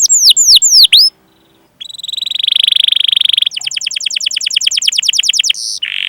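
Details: Canary song with cuit-cuit calls and rolls, used as a training lure: a few high falling whistles, a short pause, a buzzy sustained trill, then a rapid pulsed trill and a final whistle.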